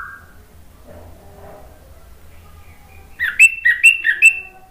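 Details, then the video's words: Orange-headed thrush lure song for a bird that has stopped singing: after a low hum, a short loud burst of three or four quick whistled slurred notes closes the recording. "PANCINGAN ANIS MERAH NGEPLONG GACOR memancing BUNYI jadi NYAUT"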